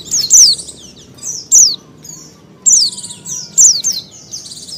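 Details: Female Oriental white-eye in breeding condition calling to males: sharp high falling chirps mixed with busy, bright twittering phrases from other birds, over a soft background hum.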